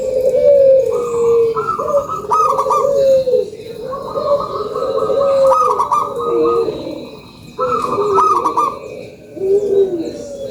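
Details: Local zebra dove lure call: rolling trilled cooing in drawn-out phrases, with higher bubbly bursts over a lower coo, pausing briefly between phrases.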